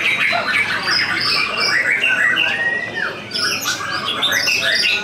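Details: Contest white-rumped shama, freshly past its moult, in full song straight away on the contest pole and placing second. Varied whistled phrases and sharp chirps in quick succession, some rising and falling, over a busy background of other birds and murmuring crowd.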